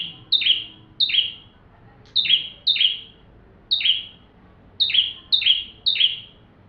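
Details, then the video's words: Full song of a bar-winged prinia, recorded as a lesson for magpie-robins: strong, sharp downward-sweeping notes, mostly in pairs or threes, with half-second pauses between groups. "Burung ciblek tamu fulll gacor cocok untuk masteran murai batu"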